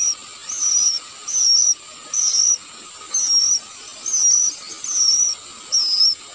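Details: Young sooty-headed bulbul (Pycnonotus aurigaster) nearing adulthood, being fed by its parent, gives high, hissing begging notes about one a second, each short and slightly wavering, over a steady faint electrical hum.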